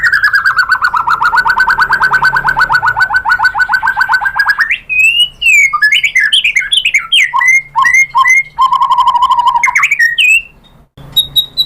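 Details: White-rumped shama song used as a lure so other shamas answer: a long rapid trill of buzzy repeated notes for about four seconds, then varied bright whistled and slurred phrases, another steady trill, and a final high note.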